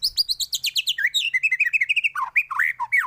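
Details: Fast, bright song of a white-rumped shama, played to train other birds: a rapid series of high chipping notes that drops into looping, warbled whistles and rich slurred phrases.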